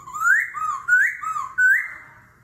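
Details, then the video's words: Clear looping whistles from a laughingthrush singing competitively in forest voice, switching voice constantly in the kéo thuốc lào style, three rising slurred phrases in quick succession. "Khướu hót giọng rừng - hót đấu - đảo giọng liên tục - kéo thuốc lào"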